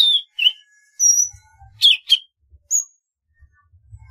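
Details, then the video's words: Golden-fronted leafbird sings clear chirps and high whistled notes in a lively phrase, with faint low thumps in the background. "tiếng chim thanh tước"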